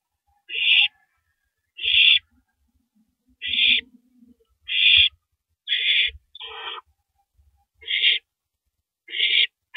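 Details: Live-camera owl eating a big rabbit at 3:33 AM, 9 April 2012. Eight harsh hissing bursts come at an uneven pace, with a brief lower grating sound in the middle and a longer rough rasp near the end.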